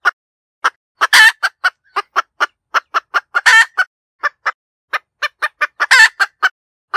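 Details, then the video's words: Cackling hen repeating short, sharp clucks in quick series, broken three times by long, raspy, strained squawks; the bursts follow one another steadily across the recording in an otherwise silent background. "เสียงไก่แม่กะต๋าก เสียงชัดสำลับต่อ suab poj qaib tsauj"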